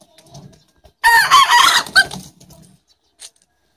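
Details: Rooster crowing during a crowing contest between an Aseel rooster and a black bantam rooster: one loud, harmonic crow of about a second with a rising-then-falling outline, followed by soft clucks and scattered quiet noises.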